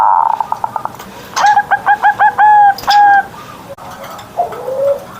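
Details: Zebra dove kept as a pet, singing loudly at dawn: a fast ticking trill, then a run of bright staccato notes, ending with a soft low coo.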